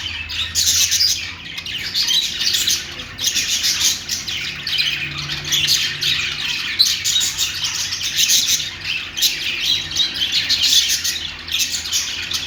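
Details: Budgie song with parakeet chirping: unbroken busy chatter of high, raspy chirps and squeaky trills pulsing in small surges, steady throughout with a low background hum.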